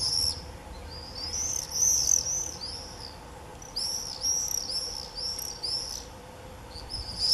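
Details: Common swifts in a screaming frenzy in early July 2018: repeated shrill, buzzy screams sliding high, in bursts overlapping from several birds, with quieter gaps and a steady low hum beneath.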